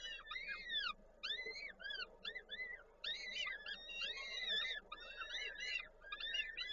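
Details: Feeding time at a peregrine falcon nest in Koszalin, 13 May 2022, the male bringing prey and the female feeding chicks: dense runs of squealing, arched calls, bent up then down, overlapping almost without pause.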